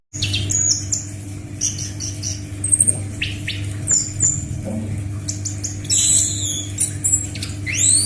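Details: Tutoring recording of anis macan (scaly thrush) song for captive birds: busy stream of high, thin whistles, short rising sweeps and chattering chirps, getting denser toward the end, with a constant low hum underneath.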